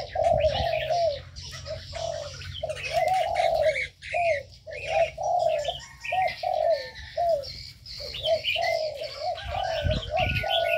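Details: Caged ornamental birds in an aviary: a long series of low, rolling coos, some clipped short, repeated rapidly, while many small birds keep up constant high chirping and whistles.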